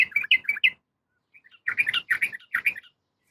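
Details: Female yellow-vented bulbul calling a male: a quick burst of bubbly, warbling notes, a short pause with a couple of faint notes, then two more chattering phrases of rapid bright notes.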